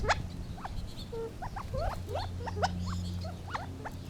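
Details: Gambel's quail making a run of quick rising yelps and clucks, a few overlapping, with a steady low hum underneath.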